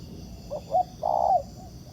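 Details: Short fragment of a wild spotted dove's answer to a trapping decoy: two quick soft notes followed by one long level coo that drops slightly at its end, over low hiss.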